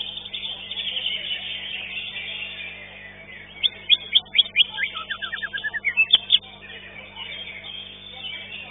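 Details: Contest-singing Green leafbird, fifth-place finisher, gives a lively series of rapid chips and short slurred whistles lasting a few seconds, set against a dense background chorus of other competing birds.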